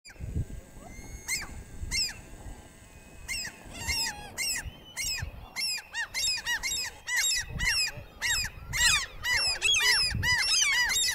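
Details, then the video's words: Several common gulls displaying at an upland breeding site with over 100 birds, Central Scotland, March 2020: shrill, high mewing squeals, sparse then a rapid overlapping chorus of about two calls a second, over low wind rumble. "Common Gulls (display)"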